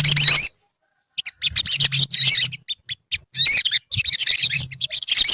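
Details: Olive-backed sunbirds in a colony: an opening burst of sharp high twitters, then near silence, then scattered clipped chirps building back into dense trilling, with a steady low hum.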